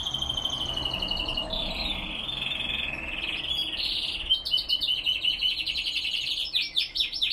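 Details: Spanish Timbrado canaries, classic type, singing in the cold early morning at 5°C, 87% humidity, 07:46 am; long continuous rolling trills and metallic buzzes held for seconds, shifting to faster pulsed, bubbling notes toward the end.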